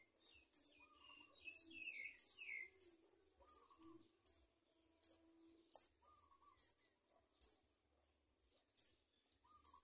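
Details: House sparrow chicks begging for food in the nest, a persistent series of sharp, very high chirps about once a second, opening with a burst of rapid squeaky twittering and softer descending notes.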